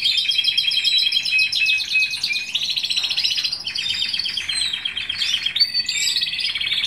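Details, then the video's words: Domestic Timbrado canary from 2015 pours out fast, chattering trills at high pitch, changing tour every second or two, with rolling bell-like runs and a brief lower-pitched rattle midway. "Canary timbrado singing"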